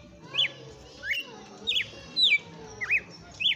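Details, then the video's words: Late-afternoon song of a red-cowled cardinal, described locally as 'açoitando', in vigorous song: clear whistled notes sliding up or down, delivered singly about every half second, loud and bright above a quiet background. "Galo de campina cantando no final da TARDE"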